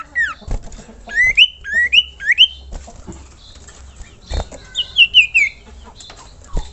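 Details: Common iora song in a masteran tutor recording: three clear whistles sweeping upward in quick succession, scattered clicks and thumps, then a short, falling, fluttering whistled trill.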